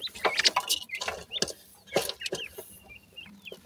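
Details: Grey francolin (desi teetar) chicks feeding at the nest give high, sharp cheeps, some with brief rising or falling inflections, scattered between loud scraping and rustling sounds.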